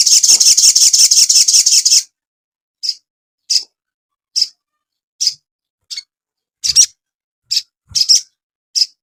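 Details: High-pitched crimson sunbird song from a cage-bird training recording: a two-second rapid ticking trill, followed by single sharp chirps repeated roughly every half to one second.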